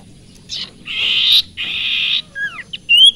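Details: Sirpu (sirtu) songbird in an energetic song meant to push other birds into singing; loud buzzy bursts around mid-high pitch, then quick slurred whistled notes and a rising upslur, over faint low background hum.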